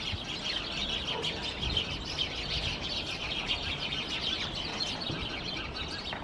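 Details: House sparrows chirping among climbing plants in Helsinki, Finland, in September 2021; a steady chatter of short bright chirps from several birds, overlapping continuously, with faint low background rumble.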